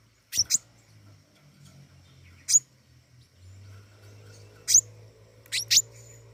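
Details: Flowerpecker singing vigorously: scattered very high, sharp chips, some single and some paired, irregularly spaced over a few seconds, with a steady low hum underneath.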